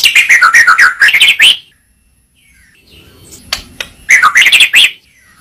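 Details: Murai batu (white-rumped shama) song: a quick chattering phrase of dipping and rising notes, a silent gap with faint clicks, then a similar bright phrase again.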